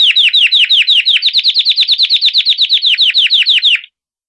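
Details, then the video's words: Pure campainha song of a Belgian canary, a rapid run of bright, falling notes repeated evenly for nearly four seconds, then stopping abruptly into silence. "CANÁRIO BELGA CAMPAINHA PURO - CANARY SINGING"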